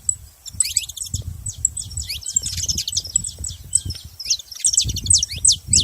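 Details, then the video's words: Saffron finch delivering fast, high, ticking chirps in busy rattling runs, accompanied by a persistent low rumbling noise underneath. "canário da terra fazendo barulho"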